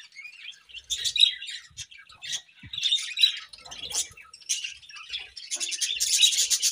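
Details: Morning budgerigar chirping, scratchy high warbles and squeaky whistles in fast uneven bursts, growing louder and denser toward the end.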